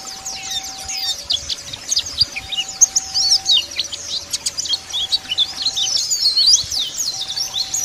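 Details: White-eyes of the Bali dakun type in the wild, calling out rivals, give a busy stream of sharp high twitters and short chirps that never pause, backed by a faint steady two-pitch tone.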